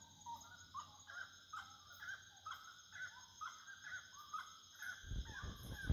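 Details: Wood rail calling at nightfall, giving loud, rhythmic, repeated nasal notes about twice a second over a steady high insect drone, with a rumble of noise at the end.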